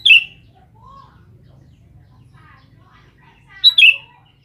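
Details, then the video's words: Sooty-headed bulbul calling for females, giving two quick falling two-note chirps separated by a few seconds, with softer lower notes in the gap and a faint background hum. "Suara Burung kutilang gacor memanggil manggil betina"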